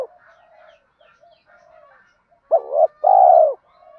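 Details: Spotted dove giving a gáy gọi calling coo, used to stir up doves in training: faint, low murmuring coos at first, then one loud two-part phrase of a short hoot followed by a longer, drawn-out one.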